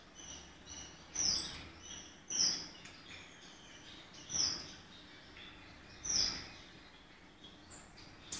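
Gouldian finch giving four thin, very high, brief chirps spaced one to two seconds apart, over a steady background hiss.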